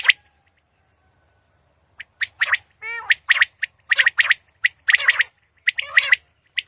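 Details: Common quail singing in the early morning in Pakistan: after a quiet pause, a dense series of sharp, bright triple-note phrases, with a brief rippling, wavering note partway through.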